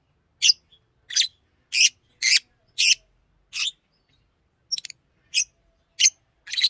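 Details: Green Fischer's lovebird singing and chirping: sharp, shrill high chirps repeated about every half second, with a short fluttering pair near the end. Background otherwise silent.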